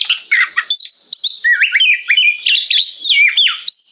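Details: Kacer, the oriental magpie-robin, singing a full gacor ngeplong song meant to set other magpie-robins answering; dense run of rising and falling whistled phrases, chirps and harsh buzzy notes, tightly repeated, nothing else audible.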